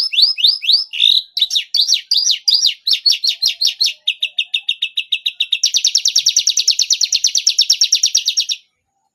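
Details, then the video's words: Canary delivering the cengkok style judges like most: swooping whistled notes, then a fast rolling trill, a steady lower rattle, and a long buzzy high trill that stops abruptly, with silence after. "Cengkok Kenari Paling Di Sukai Juri"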